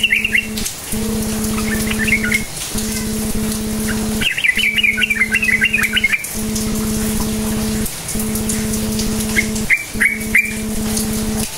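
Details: Sooty-headed bulbul cukcuk nguplik song used to draw silent bulbuls into singing: a brief opening phrase, scattered chirps, a loud rapid chattering run near the middle, and a short burst near the end, over steady humming.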